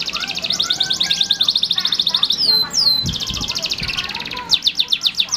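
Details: Male canary singing: long, fast, high rolling trills of rapidly repeated notes, broken by a pair of sharp swooping whistles before the trilling resumes, with faint low background noise and a few soft knocks.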